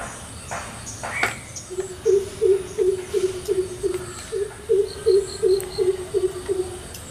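A greater coucal gives a deep, hollow series of booming hoots, about three per second, steady and low-pitched, with a faint higher chirp from another bird.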